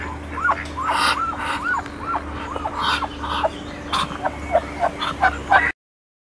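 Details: Muscovy ducks during a mating ritual at Icod de los Vinos, Tenerife, Canary Islands; short arched calls repeat about every half second over steady background noise, with a few brief higher notes near the end.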